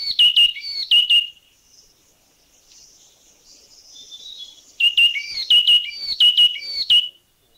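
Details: A yellow-cheeked tit in Thailand calls with quick clear whistled notes that drop in pitch, a few at the start, a quiet gap with faint high sounds, then another lively run of whistles.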